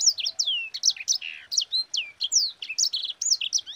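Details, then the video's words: Sanger song used as a lure for other birds: a nonstop stream of sweet, sliding whistled notes, some falling steeply and some rising, delivered several per second for almost four seconds. "Suara Burung SANGER GACOR Ngerol Pedas paling ampuh untuk Pancingan"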